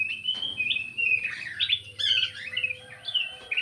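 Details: Continuous lively chattering and slurred whistles from a black-crested bulbul lure call, notes tumbling up and down almost without pause, over a steady low background hum.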